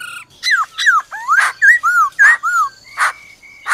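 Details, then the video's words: Forest-style song of a black-throated laughingthrush, joined by a female's rolling trill. Quick falling and rising whistled slurs alternate with sharp clicks, ending with a steady whistled tone broken by two snaps. "Khứu bạc má hót giọng rừng kèm theo tiếng mái ro ro"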